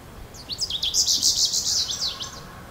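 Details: Goldfinch uttering a fast run of bright, tinkling, slurred notes, high-pitched and closely spaced, over a faint low background hum.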